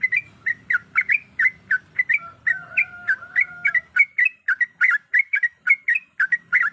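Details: Female sooty-headed bulbul calling a male with a long, steady run of clipped, bubbly chirps, roughly four per second. A thin sustained whistle sounds in the middle, and a low murmur sits beneath.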